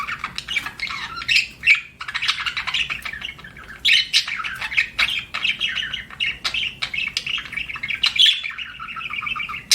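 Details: Pet budgie in a long run of scratchy chirps, buzzy warbles and sharp ticking notes, nearly nonstop, with a few brief pauses.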